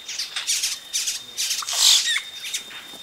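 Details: Yellow-rumped cacique chicks calling at close range as adults arrive at the nest: a run of harsh, hissing squawks in quick bursts, some several per second, rising to a louder, longer rasp midway.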